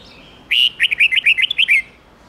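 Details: Red-whiskered bulbul song in the mature wild-bird 10-12-13 note style, played to train young birds: a single bright phrase of about eight quick whistled, warbling notes around a steady high pitch, over quiet background hiss.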